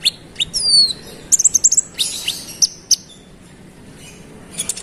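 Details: Rolling provocative song of a konin (olive-backed sunbird): two thin descending whistles, a quick cluster of high chirps, a few isolated sharp notes, and short twitters near the end.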